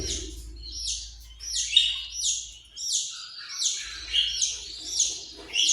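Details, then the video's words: Australian parrot producing repeated rasping, buzzy calls at a steady pace, about two each second, each note harsh and falling, with low hum in the background. "Australian parrot"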